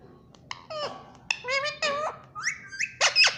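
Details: Indian ringneck parakeet, a talking pet bird that says 'mummy mummy', gives a run of nasal, harmonic, speech-like syllables with bending pitch, then louder shrill squeaky notes near the end, indoors.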